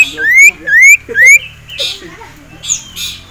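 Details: Three rising whistled upslurs in quick succession from a caged male ashy tailorbird stirred up by a rival and a female, followed by softer hissy chirps.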